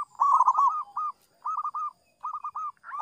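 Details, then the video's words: Zebra dove cooing to attract rivals: short bursts of rolling, slightly burry coos at a mid pitch, given in three groups separated by brief silences. "Perkutut Super Gacor memikat lawan- perkutut manapun bunyi dengar ini"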